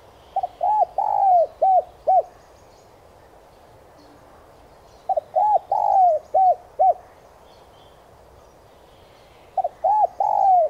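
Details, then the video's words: Lure recording of a spotted dove to stimulate captive doves to coo: three repeated low phrases a few seconds apart, each short stuttered hoots, a drawn-out slurred coo and two brief closing notes. Soft chirps of small birds in the background. "Tiếng chim cu gáy mồi chuẩn thúc kích bổi nhanh nổi hiệu quả/cu gáy kích mồi tập bổi.chim cu gáy"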